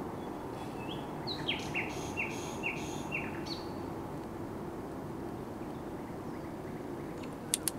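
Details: Common nightingale singing, 16 May 2023: a few high introductory notes followed by a rhythmic series of five or six identical downward-swept whistled notes, after which the phrase ends and a couple of sharp clicks follow.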